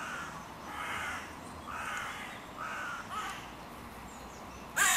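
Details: Crows disputing the meeting point of three breeding pairs' territories at a park music pavilion in König-Albert-Park; about four muffled, hoarse caws at roughly one-second intervals over steady background hiss, a sharp noise at the end.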